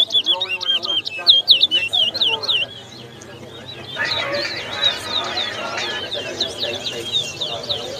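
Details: Chestnut-bellied seed finch (towa towa) at a 2022 bird singing competition in Lusignan, Guyana: fast, sweet, warbled song of rising and falling notes, a second bird joining, faint crowd chatter behind.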